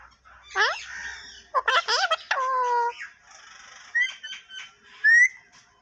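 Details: Talking parrot: harsh, nasal, voice-like syllables, several quick stuttered notes, then a long held flat call, followed by softer chatter and a brief whistled rising note.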